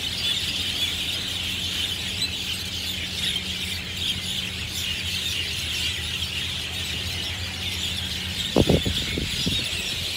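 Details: Sunday-afternoon flock of Javan or Jungle Mynas chirping loudly in treetops at Marina Barrage, Singapore; sustained shrill chattering chorus, low hum, and a short burst of nearby human voice near the end.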